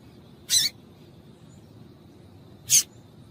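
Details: A female double-collared seedeater gives two short, bright, high-pitched chips about two seconds apart. The call is used to get a male singing. Low background hiss only.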